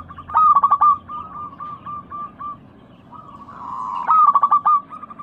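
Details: Local zebra doves in breeding condition, used as a lure for caged doves. A loud trilled coo phrase, a run of short soft coos, a brief hiss, then another loud stuttering coo, over low hum.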